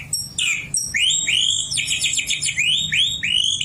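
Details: Caged oriental magpie-robin singing shama-style song learned while young near a white-rumped shama: a string of loud rising whistled upslurs repeated about twice a second, with a quick trilled run partway through.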